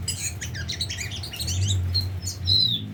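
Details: Tame Oriental magpie-robin giving a dense, rapid string of chirps and slurred whistles, ending in a clearer falling whistle, with a low background rumble.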